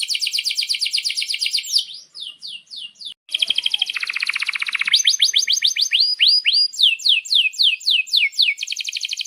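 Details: Lively canary song with long rolls ('ngerol panjang'), used as master song for young canaries: rapid rising sweeps about four per second, a brief pause, a dense buzzy roll, then spaced upward slurs resuming.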